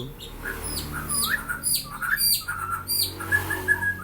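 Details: Black-winged myna, white-eyed, noted for coughing and talking, gives a run of scratchy squawks, short rising whistles and chattering notes throughout, steady low room hum beneath.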